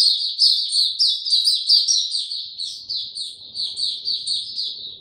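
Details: High, quick twittering from a white-eye given no health supplements, recorded 29 April 2022: loud dense chirps early that ease into a steadier, softer chirping run with faint low sounds.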